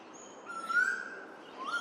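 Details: Spring call of a male Eastern Koel, the Australian 'rainbird', announcing arrival across the Lane Cove River valley. One drawn-out rising whistle, a second beginning at the end, and thin high chirps from other birds in the background.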